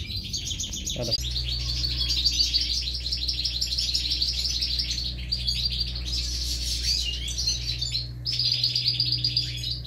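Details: European goldfinch chicks being fed at the nest, several broods: a long continuous chorus of rapid high buzzy chirps, very dense and urgent, starting after a brief low thump, with a constant low hum behind.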